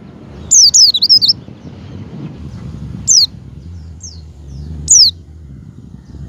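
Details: Javan white-eye calling, played to stimulate a pet white-eye to open its beak: a quick wavering high trill, then single thin, falling chirps spaced a second or two apart over a low hum.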